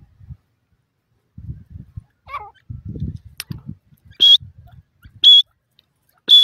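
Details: Grey francolin (Bhura Teetar) from wild Pakistan: three loud, high, ringing notes, each a short steady whistle about a second apart, following low thumps and rustling handling noise.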